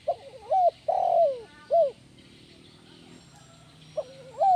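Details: Lure call of a spotted dove for training other doves: wavering coo, a long loud falling coo and a short note, then after a quiet gap the phrase begins again with a wavering coo.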